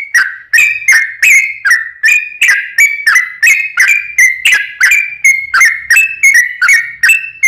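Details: Lure song of a sooty-headed bulbul, meant to make other birds of its kind answer. An unbroken run of bright, slurred whistles repeats almost three times a second, each note sharply attacked and slightly rising.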